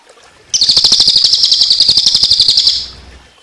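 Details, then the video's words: Tutoring recording of a cililin's 'tembakan' song, combined with water sound: a continuous high, rattling trill of about four pulses a second-fraction that holds steady for over two seconds, then fades. "Tembakan Cililin Untuk Masteran Burung Kicau"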